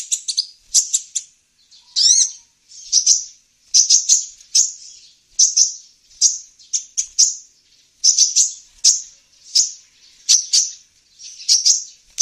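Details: Olive-backed sunbird (kolibri ninja) sounds played to lure wild birds: sharp high chirps repeated about every half second, with one quick up-and-down sweeping note near the start, in an otherwise quiet recording.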